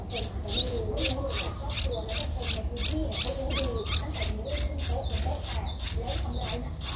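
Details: Eleven-day-old Streak-eared bulbul nestling, Ubon Ratchathani, Thailand, 13 April 2023: steady, insistent series of sharp high chirps, nearly three per second for seven seconds, with soft lower murmurs beneath.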